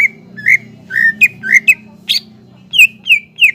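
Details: Varied whistled phrases from a greater green leafbird lure recording meant to excite young leafbirds. Slurred mid-pitched notes give way to higher, sharper down-swept whistles, with a low hum underneath.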